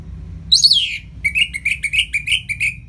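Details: Orange-headed thrush singing in the ngeplong style as a master for lazy birds: a loud downward-sliding squeal, then a steady string of about eight short, even, chirping notes.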